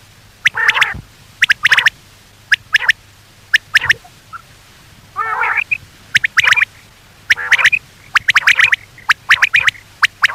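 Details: Common quail calls used by hunters as a night lure: clusters of sharp, quick clicking notes, often in threes, mixed with nasal harmonic bursts, repeated irregularly over a quiet background with a faint low hum.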